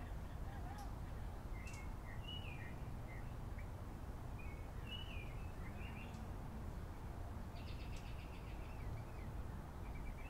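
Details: Birds in a backyard: scattered short chirps and brief twittering phrases sound at irregular moments over a steady low rumble of background noise.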